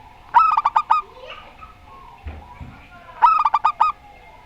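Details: Local zebra dove sings the Rondo Semoyo style: two trilling phrases of about six quick coos three seconds apart, with a faint thump and murmur in between.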